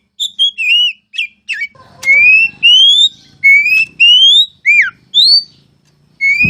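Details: Loud, clear whistles from an oriental magpie-robin (kacer) as masteran training song: long rising pure notes and a few quick down-slurred ones, separated by short gaps, over a faint low background hum.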